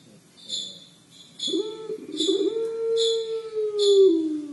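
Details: Collared dove (puter pelung) 'crying': after a quiet start, one very long low coo swells and slowly slides down, while short high chirps repeat regularly in the background.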